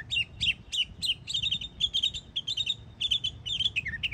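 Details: Yearling mockingbird in Florida repeating bright chirpy note clusters roughly twice a second, high and sharp, varied slightly between repeats, with faint low background noise.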